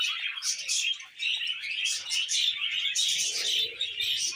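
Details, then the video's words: Pet budgerigar pair singing while perched on a hand: continuous chattering warble of scratchy, buzzy notes and soft chirps, steady and unbroken throughout. "Budgie Couple Singing on Hand"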